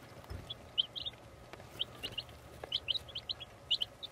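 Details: Baby chicks peeping in a chicken house: high, short, rising cheeps in quick clusters over a steady background hiss, with a few soft knocks.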